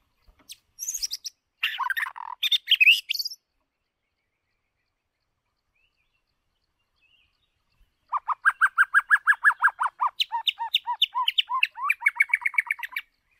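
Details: White-rumped shama used as a lure or training recording to coach singing: rich, varied song, first a short burst of fluty warbles, then after a pause a long run of rapid repeated whistled notes rising in pitch.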